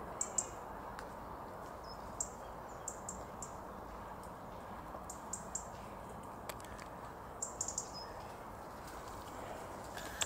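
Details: Eurasian treecreeper in Tivoli Landscape Park, Ljubljana, Slovenia, 10 January 2022, giving thin, very high 'tsree' notes, singly or in quick clusters every second or two, over a steady low hum of distant traffic.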